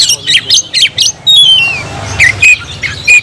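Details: Kacer (oriental magpie-robin) song: four harsh, rasping bursts, then a long descending whistled slide and a few short ringing whistles, set against a low hum.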